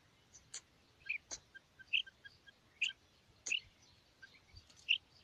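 A female rain quail gives short, high chirped notes about once a second, mixed with sharp clicks and a faint background hiss.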